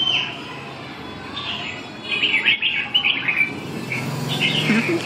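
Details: Red-whiskered bulbul, afternoon of 7 June 2012, singing quick rolling warbles that start softly and then burst into a dense, lively run of bubbling notes over a faint low hum.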